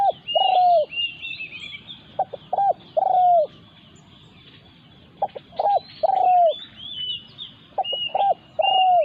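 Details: Decoy spotted dove set out to lure birds, meeting a local wild dove that attacks it. Repeated short-note-plus-long-coo phrases, the final coo rolling and dropping in pitch, with a pause midway and chirping birds behind.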